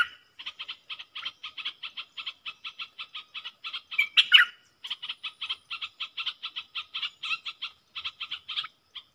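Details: Wild southern bulbul replying to a lure bird: a long run of rapid, evenly spaced chirping notes, interrupted midway by one louder burst of warbling.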